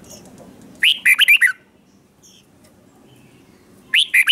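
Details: Red-whiskered bulbul giving the slow, clear doubled song played so young birds can copy it: a crisp phrase of four or five warbled notes, silence, then the next phrase starts.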